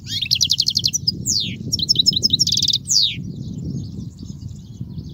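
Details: Song of the European goldfinch for teaching young goldfinches: rapid buzzy trills alternating with sweeping descending whistles and bright tinkling notes, a busy, continuous warble over soft low noise.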